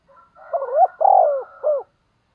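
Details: Decoy spotted dove giving a provoking 'thúc gù' coo meant to make wild doves coo back. A single low phrase: short soft lead-in, a rising hooked note, a long loud throaty coo, then a brief falling final note.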